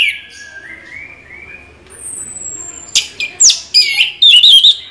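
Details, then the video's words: Orange-headed thrush singing in the rolling 'ngeroll' style: faint thin whistles, then from the third second loud sharp notes, slurred whistles and rapid twittered phrases high in pitch. "Anis merah ngeroll BoCOR"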